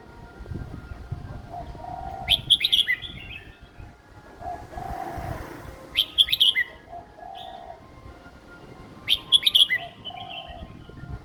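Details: A young caged red-whiskered bulbul repeats a short, loud phrase of bright chirps and slurred whistles about every three to four seconds, a simple song style for young birds to copy, with soft background whistles.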